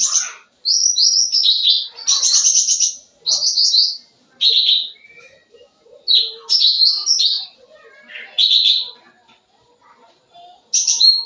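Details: Sooty-headed bulbul in full lively song for luring young birds: repeated high buzzy trills and whistled slurs in bursts every second or two, soft lower chirps filling the gaps.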